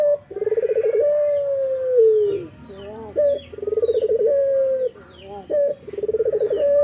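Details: A male Barbary dove calling in the morning gives a low rolling, purring coo that flows into a long drawn-out note, repeated about every three seconds, with faint chirps of small birds behind it.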